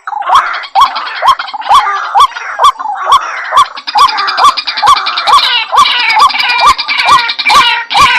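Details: White-breasted waterhen, a recording for luring birds to traps: steady rising notes repeated about twice a second beneath a bright, busy layer of high chirps and clicks.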